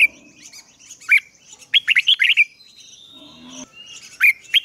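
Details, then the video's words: Red-whiskered bulbul kept as a decoy, calling rivals to come and fight; short sweeping whistled notes in small clusters with gaps, a faint drawn-out tone and soft low hum in the background. "Chào Mào Mồi Hót Gọi Bổi Về Đấu"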